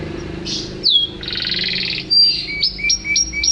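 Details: Canary song used in Indonesia as a tutor and singing prompt for caged birds: a downslurred whistle, a dense buzzy trill lasting about a second, then bright clipped notes repeated roughly every quarter second.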